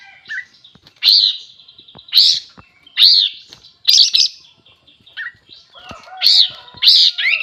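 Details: Sooty-headed bulbul song described as very lively: loud, bright, slurred phrases repeated roughly once a second, each a quick rising-and-falling burst, with a few lower short notes between and faint clicks in the background.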